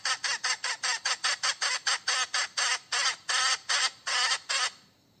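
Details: Hen calling for a mate, giving a rapid burst of harsh clucks that lengthen and slow into drawn-out squawks before stopping.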